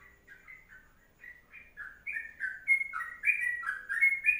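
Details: Sooty-headed bulbul singing the long 'kongslet' style: a string of short, liquid, warbled notes, softer at first and then louder and more crowded toward the end, in a rapid 'ropelan' flow.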